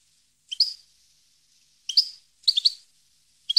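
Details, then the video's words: Goldfinch giving four short, sharp chirping calls, some doubled, spaced roughly a second apart against silence. "Goldfinch song 2015/ Canto Jilguero Parva 2015"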